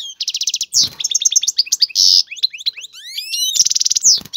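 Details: Male European goldfinch singing hard in a cage to bring a female into breeding condition: rapid trilled pulses, harsh buzzes, rising whistled sweeps and bright chattering twitters.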